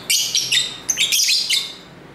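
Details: Lovebirds kept at home, singing and talking to each other, recorded on a camera's internal mic near a main street: shrill, scratchy high chirps in quick overlapping bursts, fading toward the end, with faint low street hum.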